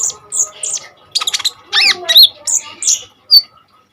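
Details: Common iora singing with sharp bursts, used as a tutor for untrained kolibri ninja birds: varied high notes, including looping rising-and-falling whistles and quick chips with short gaps, over a faint low hum.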